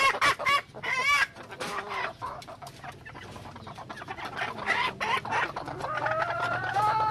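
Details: A junglefowl hen clucking irregularly, with a few wavering squeals early on and a long, smooth, rising drawn call near the end, over a faint low hum.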